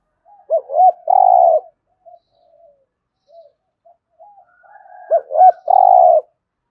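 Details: Spotted dove in 'thúc gù' urging style, aimed at getting doves to call: two arched short notes run into a long steady coo, with faint low murmurs between two phrases.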